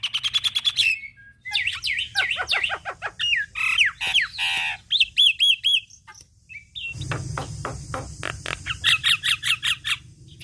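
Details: Energetic Javan myna song meant for tutoring songbirds: fast stuttering chips, then swooping whistled slurs and squeaks, followed by a harsh buzzy stretch under rapid repeated clicks.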